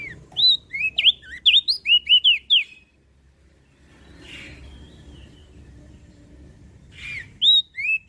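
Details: Mountain leaf warbler giving a rapid run of about eight high, looping whistles, then a quiet stretch with a soft rustle and low hum before a few notes start again.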